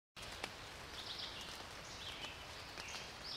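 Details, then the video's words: A whinchat gives short, high, scratchy warbled phrases roughly once a second, thin against a steady hiss of outdoor background noise; its "tui-chek-chek" call attracts females and marks territory. "Пение птиц - Луговой чекан"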